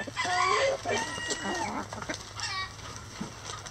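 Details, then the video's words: Rooster crowing in a chicken coop: a short harmonic, drawn-out call opens the clip, followed by overlapping clucks and chatter from other chickens. "Chicken Coop Relaxing Sounds Rooster Crowing"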